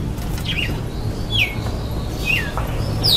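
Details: Red-cowled cardinal dueling face to face with another bird and losing: a few loud, clear whistles sliding steeply downward, about one per second, over a constant low hum.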